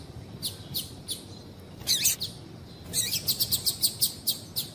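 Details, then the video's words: Calls of a female double-collared seedeater, meant to stimulate a male to sing: a few spaced high chips, then a fast run of sharp repeated chirps near the end. "Piado de Fêmea de Coleiro para Esquentar Coleiro"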